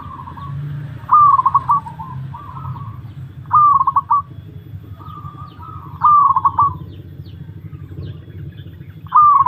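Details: Mental test of a perkutut (zebra dove): repeated cooing song with four stuttered, trilling phrases about 2.5 seconds apart and softer coos between. A steady low hum sits behind the bird.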